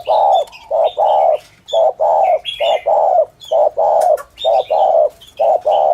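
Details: Spotted dove cooing 'thổ thúc gù' style as a lure for dove trappers: a rhythmic string of deep paired coos, short and long, about one pair a second, mixed with scattered high chirps of other birds.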